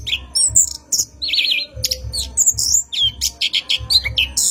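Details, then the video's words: Night lure recording of an orange-headed thrush for cage-bird training, rolling song: high whistles, a quavering warbled phrase, crisp repeated chips and slurred notes, with soft low thumps beneath. "PANCINGAN ANIS KEMBANG GACOR MALAM HARI | NGEROL PANJANG COCOK UNTUK PANCINGAN ANIS"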